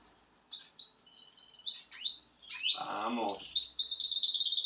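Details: Spanish Timbrado canary, a young bird from 2023, singing a sustained whistled phrase that gives way to rapid, even trills, with a brief low rattling sound in the middle.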